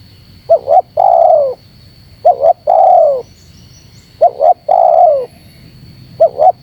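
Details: Spotted dove voice played to provoke wild doves: three complete phrases of paired short notes and a smooth descending coo, spaced about two seconds apart, with the start of a fourth at the end.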